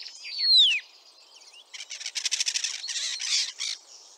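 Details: Ringed male-or-female common starling, back in Liepāja, Latvia for a third spring after arriving 25 March 2023, leg injured, sings: a bright descending whistle slides down, then after a pause dense buzzy rattling bursts crackle in quick clusters.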